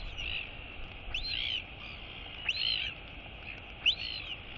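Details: Three high, arching whee calls about 1.3 seconds apart from a female royal albatross chick greeting her mother at feeding time on 23 August 2022, with steady wind hiss throughout.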